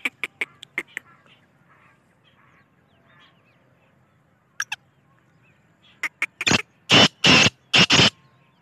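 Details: Black partridge or black francolin: scattered sharp ticking notes, a few soft murmurs, then a loud phrase of five harsh, rasping, buzzy notes in rhythmic groups ending the clip.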